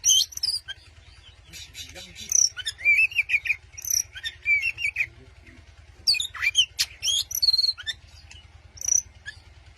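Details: Provoking a rival, an Oriental magpie-robin delivers sweet, warbling whistled phrases mixed with sharp high chips, grouped in bursts separated by brief pauses, with a low mechanical hum throughout.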